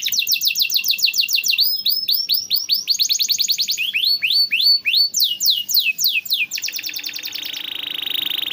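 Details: Canary singing as master song for tutoring and prompting reluctant or stalled canaries: rapid tours of repeated downslurred whistled notes, high and bright, changing every second or so, ending in a fast buzzy trill.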